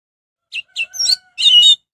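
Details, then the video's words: Orange-headed thrush singing to provoke other birds of its kind into joining in: a few short, sharp chirped notes spaced apart, followed by a denser burst of twittering, high-pitched notes. "suara anis merah untuk pancingan"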